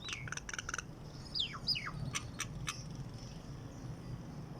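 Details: Wild bird singing outside a window in the morning: quick sharp chirps and a few steeply falling whistled notes in an irregular series, with low rumbling background noise.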